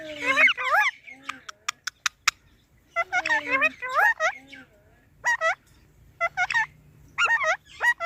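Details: Parrot gives clusters of looping, wavering, nasal notes separated by short pauses, with a few sharp clicks early on; the phrases have a jabbering, speech-like rhythm.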